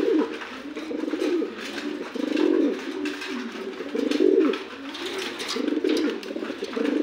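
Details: A new adult male Andalusian pigeon gives low, throaty rolling coos in swelling phrases about every second or so. A faint room hum sits behind the calls.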